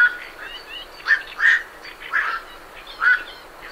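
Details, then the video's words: Night herons leaving their roost give four harsh, croaking 'quok' calls, loosely spaced over a few seconds, with great reed warblers chattering in the background. "Night Heron Calls / Night Heron. Calls MCU From Birds Leaving Roost"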